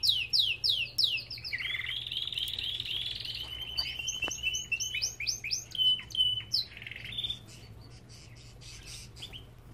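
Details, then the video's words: Belgian canary in an aviary singing: rapid descending chirps, then a long buzzy trill and a run of sharp repeated whistled notes that fade toward the end; steady low hum underneath. "Lindos cantos de canários!"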